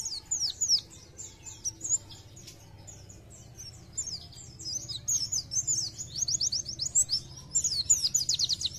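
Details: Pleci, Oriental white-eye, gacor song with nembak phrases: varied high chirps and squeaky slurs, then a quick series of repeated rising notes near seven seconds, over a low background rumble.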